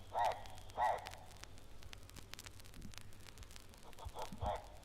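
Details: Hartlaub's turaco of East Africa, a vivid, beautiful bird with an oddly harsh call. Two loud, rasping croaks come about half a second apart, then quieter hoarse notes after a pause, over a faint low hum.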